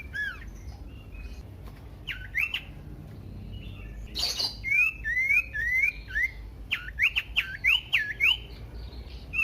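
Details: Varied Common iora song aimed at provoking other ioras into singing: scattered hooked whistles, a loud broadband burst, then a lively sequence of rising and falling whistled slurs.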